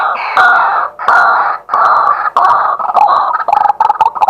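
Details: Loud daytime series from a male white-breasted waterhen, filmed live with a positioned camera: harsh, grating croaks repeated steadily, speeding into short, choppy notes toward the end.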